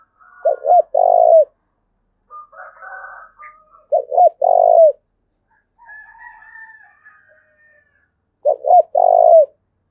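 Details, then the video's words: Thúc bổi coos from a Dong Nai spotted dove in Vietnam: three low phrases, each two quick hoots and a longer coo, with fainter higher chatter and a thin whistle between them. "Cu Gáy Đồng Nai Đang Thúc Hay Nhất, tiếng cu gáy thúc bổi mới"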